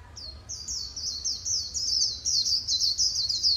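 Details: White-eye líu song from Vietnam: high warbled chirps that grow louder and denser, running into a continuous bright twitter by the end.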